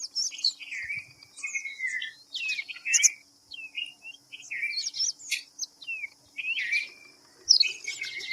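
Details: Red-vented bulbul calls: repeated liquid, warbled phrases with downward and upward slurs, spaced unevenly across the recording. Scattered high squeaky chirps from other birds and a steady high-pitched drone fill the background.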